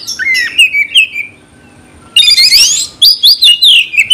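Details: Oriental magpie-robin song aimed at provoking fights: slurred whistles, a short pause, then a burst of harsh rasping notes and rapid repeated chirps.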